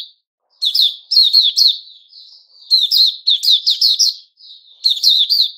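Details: A white-rumped shama sings on 29 August 2021, giving clipped, buzzy note groups and a soft sustained whistle, with a short silence at the start.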